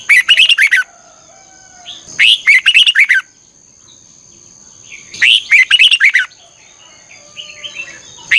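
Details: Red-whiskered bulbul giving its morning 'chè căng lửa' song, with a double-twist voice, as a lure for bird training: sharp, rapid, jumbled whistled phrases of about a second, repeated roughly every three seconds over a thin high steady tone.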